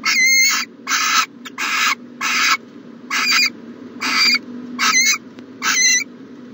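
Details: Morning at a nest box in January 2020: an owl repeats loud, grating hisses, some carrying a faint whistle, roughly seventy a minute in a slightly irregular rhythm, over a low droning hum.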